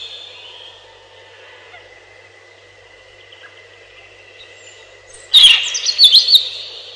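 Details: Robin singing faintly at first with a thin, steady high whistle in the background, then one loud, sudden phrase of sharp, fast trilled notes near the end.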